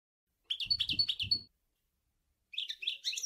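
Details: Sour El Ghozlane style song of a European goldfinch: a quick run of tinkling, rapidly repeated chirps, a short pause, then a second rippling twittered phrase, with low knocking sounds under the first.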